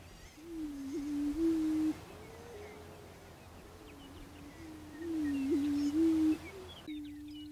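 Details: Repeated deep, hollow hoots from a prairie chicken, each a low moan with a small jump, with fainter answering hoots in the background and light bird chirps above.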